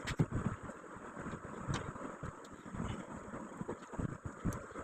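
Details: Low rumbling wind and engine-like noise with scattered knocks and clicks; no animal voice is heard.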